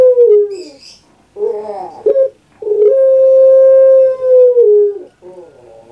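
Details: Puter pelung dove kept as a pet in Indonesia: a falling coo tail, gurgling rolled notes, a brief clipped note, then a long, level drawn-out coo sliding lower at its end, followed by a throaty note.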